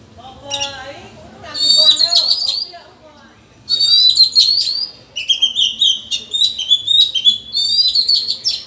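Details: Oriental magpie-robin in the wild forest, dueling rivals in song: bursts of bright, varied whistled phrases, rich and high, broken by short pauses, with lower warbled notes at the start.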